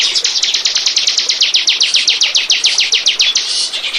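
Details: Steady bar-winged prinia song from a lure recording meant to attract birds: a continuous string of loud, high, buzzy chip notes repeated roughly three to four times per second for nearly four seconds.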